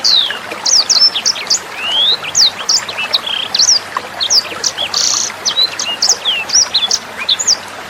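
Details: Tutor song of a sanger bird, meant for songbirds like Murai Batu and Kacer to copy: a busy stream of sharp, high chirps and rising or falling whistles, with a brief buzzy note and trickling water beneath.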